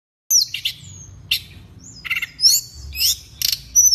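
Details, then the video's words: A pygmy cupwing sings very high, thin whistled notes, some long and level, mixed with short scratchy, buzzy bursts of chatter over a quiet background. "Burung Teledekan Gunung gacor"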